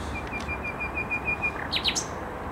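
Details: Common nightingale singing in Skarszewski Park on 7 May 2021: a steady series of about ten thin, even whistled notes, then a few quick rising and falling sweeps, over a constant rushing background hiss.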